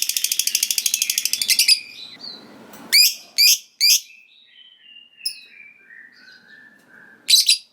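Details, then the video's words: Fighter lovebird finishing a rapid 'ngekek' trill of quick even pulses, which is said to make rival lovebirds answer, then three loud harsh chirps, a sliding faint whistle, and a final double chirp. "Suara Burung Lovebird Gacor Ngekek Panjang Bikin Lovebird Lawan Langsung Nyaut Ngekek"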